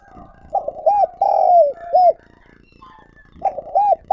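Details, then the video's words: Decoy spotted dove in calling-coo style, recorded directly. A mellow phrase of short coos, a long sliding note and a hooked ending, then a short pause and the start of the next phrase. "Tiếng Chim Cu Gáy Mồi Gáy Gọi"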